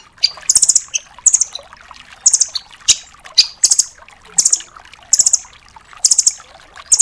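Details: Velvet-fronted nuthatch (rambatan doraemon) in full 'tembakan' style, used as tutor song for songbirds: very high, rapid trilled bursts repeated about once a second with brief quieter twitters between.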